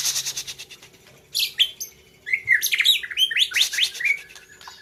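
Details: White-rumped shama, a competition bird from the Gayo highlands of Aceh, Indonesia, singing: rapid bursts of sweeping whistles and harsh rattling notes, rising and falling between phrases, with short pauses and a faint low hum beneath.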